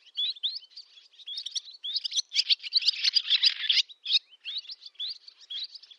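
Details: Barn swallow summer song in Zamoshye village, Novgorod oblast, Russia, 8 August 2013: a fast, high twittering warble of chirps and short slurred notes, rising into a dense, buzzy rattle midway before returning to looser twitters.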